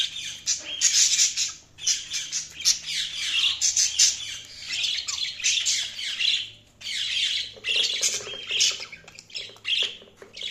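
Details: Several pet budgerigars chattering during feeding, a dense continuous stream of scratchy squawks and high chirps with little pause.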